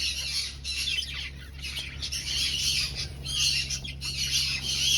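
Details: Breeding finches in an aviary colony, hunting for nests, fill the air with thick, buzzy high chirping that swells and fades in waves, over a constant low hum.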